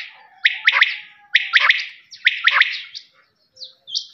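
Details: Quail (lawa) calling in three clusters of rasping, stacked multi-note bursts roughly a second apart, then a few thin, high chirps and a pause.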